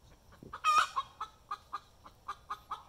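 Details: Hen's egg song after being caught laying an egg: soft, short clucks repeated about every quarter second, broken by one loud, harsh, rising squawk, then steady clucking resumes.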